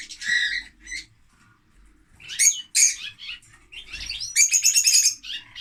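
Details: Shrill lovebird calls come in uneven bursts: scratchy squeaks, a pause, then clusters of sharp, piercing chirps and a rapid, buzzy chatter at the end.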